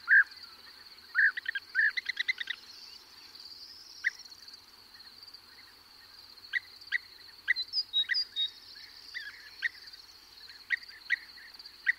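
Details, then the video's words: European bee-eaters, a perched bird and others in flight, give a few loud rolling calls and a quick stuttering burst at the start, then scattered fainter notes, while larks and a corn bunting sing steadily in the background. "European Bee Eater / CU Calls From A Perched Bird. Others Call In Flight."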